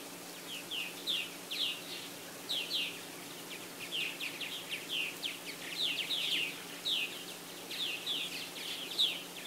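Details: At a South Florida purple martin colony with houses and gourd racks, 24 April 2012: scattered bursts of chirping chatter from several birds, coming in short clusters with brief quieter gaps.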